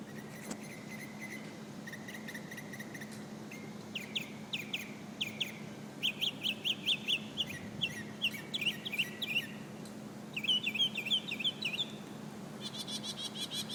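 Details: Common nightingale singing in Alexandria: varied, rapid song of short whistled and chirped phrases, some rising sweeps and quick repeated notes, with brief pauses between bursts over steady low background hum.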